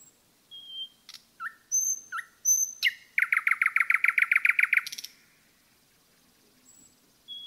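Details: A common nightingale sings in a forest: high whistles and paired chirps, then a fast, even run of about fifteen loud repeated notes lasting under two seconds. Near-silence follows.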